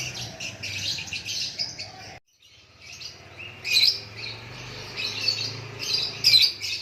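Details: White-rumped shama song: rapid high chattering and whistled notes, a short gap, then loud ringing phrases returning at intervals over faint low background noise.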